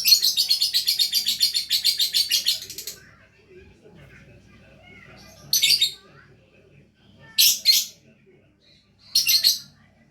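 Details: Lovebird in gacor song, opening with about three seconds of fast, harsh chattering, then falling quiet before three short, sharp bursts of high, rasping chatter spaced a couple of seconds apart.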